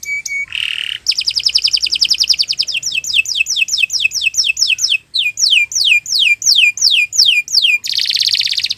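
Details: Canary singing long and continuously, meant as a master recording for training other birds: a short pure note and a buzzy burst, then a fast even trill, then a run of high whistles that slide steeply downward, and a closing rattling buzz.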